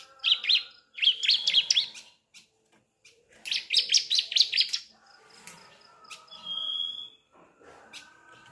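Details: Young Sunda streaked-tit (ciblek) learning to sing, used to prompt adult birds to sing: bursts of rapid high chattering notes around 0–2 s and 3.5–5 s, then a thin sustained whistle, with faint lower tones beneath.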